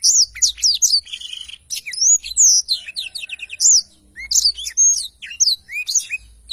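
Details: Black-throated canary singing hard, recorded as a tutor for songbirds: high, sweeping whistles and rapid twitters with a short buzzy passage, phrases running almost continuously.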